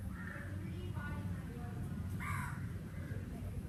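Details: Summer crow caws: a clear harsh caw toward the end after several faint distant caws, with strong low-frequency background rumble throughout.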